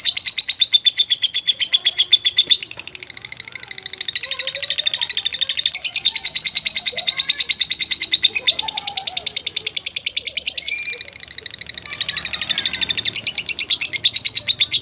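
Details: Lovebird producing a long provoking chatter for other lovebirds: extended shrill rattling at a rapid steady pace, briefly dipping about halfway, then resuming strongly, with soft faint chirps in the background.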